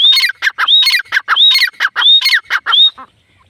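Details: Female grey francolin (teetar) calling: loud harsh, buzzy notes alternating with clear rising whistled notes, about eleven notes in three seconds in a rapid rhythmic series, then silence.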